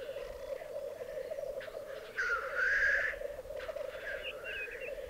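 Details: Black grouse performing lekking displays at an Alpine singing arena in Piedmont, 2022. A constant bubbling murmur carries a loud hissing rush in the middle, with fainter hisses and a brief chirping call around it.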